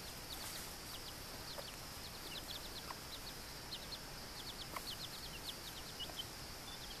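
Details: Young chicks, two Buckeyes and two Old English/Australorp crosses, foraging on their first day out as their Australorp mother shows them food. Faint, short, high-pitched cheeps repeat in quick clusters, with a few low taps over constant background hiss.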